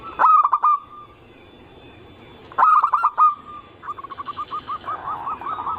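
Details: Cooing zebra dove song of the anggungan style, played as a lure: two loud bursts of stuttered coos ending in a drawn-out note, followed by a softer string of quick, evenly spaced coo notes.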